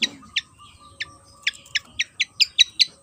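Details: Javan fantail (sikatan kipas), an insect-eating bird found on Java, uttering about ten sharp high chips, spaced unevenly and quickening toward the end, with a faint low hum underneath.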